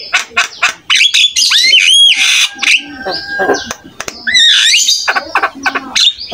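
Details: Buffalo starling (jalak kebo) singing a varied master song to stir other starlings: scratchy squawks, clicks and rapid notes interleaved with clear rising whistles and a few long flat tones.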